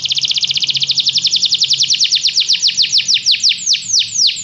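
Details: Canary singing in a training recording meant to spark singing: a rapid trill of falling sweeps that gradually slows, the notes spreading out and stretching longer toward the end, faint low hum beneath.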